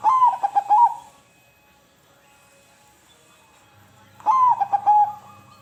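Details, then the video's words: Two cooing phrases from a zebra dove, played to get silent doves singing. Each is a burst of quick, stuttered, pulsed notes ending in a held tone, with the phrases about four seconds apart. There is a faint low hum. "Perangsang Bunyi Burung perkutut Yang Bisu Jadi Bunyi"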